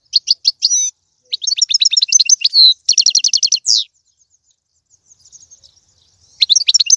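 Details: Goldfinch song played to encourage a pet goldfinch to sing: long runs of rapid, tinkling high twitters and trills in several bursts, a near-silent stretch, then a final twittering phrase.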